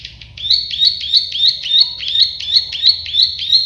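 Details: Plain prinia, called klik-klik bird locally, giving a steady series of rising buzzy notes, about three per second, continuing through the whole stretch over a low background hum.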